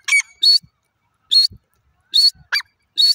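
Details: Grey francolin giving short, separated harsh notes with a bright tonal top, spaced about every 0.8 seconds, plus one lower squawking note, with faint low thumps between calls.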